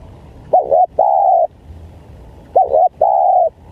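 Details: Lure call of spotted dove for attracting wild doves: two-part coo, a quick wavering note then a drawn-out level coo, given twice in a row with quiet gaps between.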